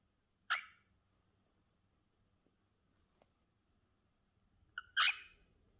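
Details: Cockatiel calling indoors: one short harsh, rasping screech, a long quiet gap, then a louder grating screech about four seconds later, with faint low room noise.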